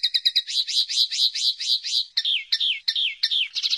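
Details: Common linnet, 2016: rapid rolling twitters that turn into a series of clear, downslurred whistled notes repeated roughly every third of a second.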